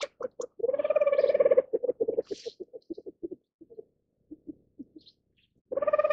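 A Reeves's pheasant gives a rich, mid-pitched rapid chattering call, then a string of short notes that slow and thin out before another rolling burst.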